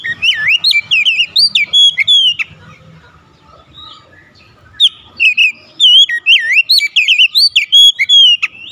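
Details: Rival Oriental magpie-robin (kacer) singing to provoke another bird into an emotional, full-repertoire response: loud whistled phrases with sweeping rising and falling notes and sharp chips, two bursts separated by a quiet gap near the middle.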